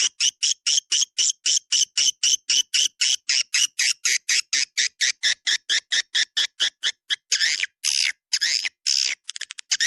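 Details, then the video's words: Swiftlet lure call of the "Dua Bidadari" style, played to attract swiftlets: a steady run of loud buzzy chirps about twice per second, each broad and harsh, later breaking into longer rasping bursts. "SUARA PANGGIL WALET DUA BIDADARI RESPON TERBAIK DI AREA CENTRAL WALET"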